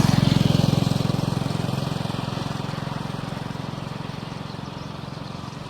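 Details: An idling engine throbs in a steady, rapid low pulse that slowly fades, with faint outdoor hiss and no animal voices.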